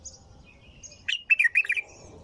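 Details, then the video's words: Brief bulbul phrase in a nonstop song: a tumbling string of about six mellow, warbling notes, close and clear, over faint high chirps. "تغريد بلبل طور بدون توقف"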